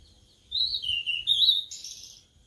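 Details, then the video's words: Sulingan laut, also called tledekan laut, a caged bird kept for only three days and beginning to sing freely, giving a short sweet whistled phrase of sliding notes that dips and then rises, ending on a higher bright note. "Baru Dirawat 3 Hari Sudah Mau Ngeplong🥰🥰🥰 Burung Sulingan Laut/Tledekan Laut"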